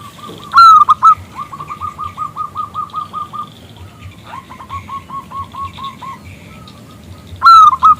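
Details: Zebra dove of local stock calling a male to sing: a loud opening coo, then a long even string of soft rolling notes at steady pace, a pause, another rolling run, and a loud coo at the end.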